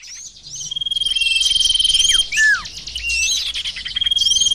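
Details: Sirtu bird lure recording: dense overlapping high chirps and quick downslurred whistles, with a fast rattling trill and a steady thin high whine running through.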